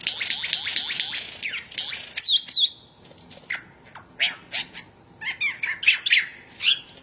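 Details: Australian forest lyrebird singing a varied run of phrases: dense buzzy rattling notes, sharp descending whistles, then scattered clicks and bright chirps in quick irregular sequence.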